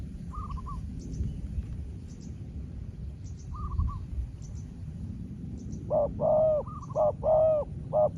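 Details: Spotted dove dueling with a small-voiced wild dove: after quiet faint short coos, a burst of loud, repeated, slightly bending coo notes arrives in quick succession near the end.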